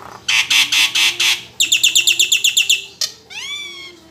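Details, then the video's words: Caged Nias hill myna in loud song: a series of harsh raspy bursts, a quick run of clipped high whistled notes, a sharp click, then a slurred upward whistle. "PANCINGAN JALAK NIAS (BONGKAR FULL ISIAN) DIJAMIN RESPONSIF"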